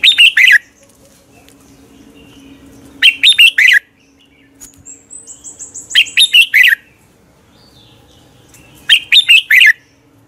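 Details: Red-whiskered bulbul contest song at morning, a training lure for other birds: four loud phrases of rapid, bubbly whistled notes about every three seconds; a faint high wavering whistle from another bird in the background.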